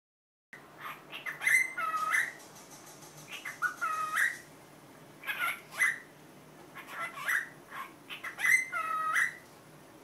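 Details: Pet cockatiel imitating the Korean greeting 'annyeong', squawky two-part phrases with a bright, harsh, speech-like quality, repeated in five bursts separated by short pauses, recorded indoors with a faint steady hum.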